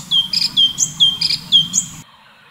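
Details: Full tembakan song of the orange-bellied leafbird (cucak cungkok): a run of falling whistled notes, each paired with a burst of high chirping, repeating steadily until it stops abruptly, low hum beneath.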